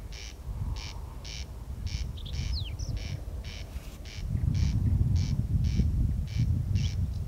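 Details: In Kiili parish, Estonia, at 01:35 on the night of 14 June 2021, a corn crake rasps a dry, repeated crex-crex about twice a second, over a low rumble, with a faint whistle from another bird.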